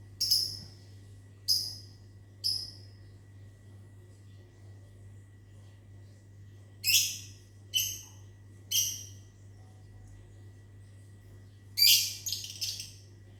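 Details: Lovebirds kept in a mini aviary, responding in the morning to a person whistling: clusters of short, piercing high chirps in groups of two or three separated by quiet gaps, over a steady low hum.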